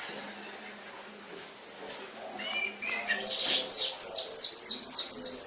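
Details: Canary song from Indonesia, used as a master recording for training pet songbirds: after a quiet, hum-filled start, high rapid trills and repeated sweeping notes begin.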